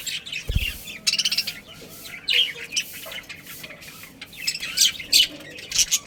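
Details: Pet budgies in a family colony twitter in scattered high, scratchy chirps, some quick runs and some isolated notes, with a soft knock near the start.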